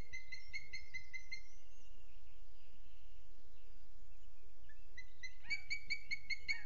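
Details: Booted eagle on a Sierra de Guadarrama National Park webcam, 07:20 on 12 June 2022: rapid high repeated notes, a quieter gap of a few seconds with faint tones, then another fast series that grows louder.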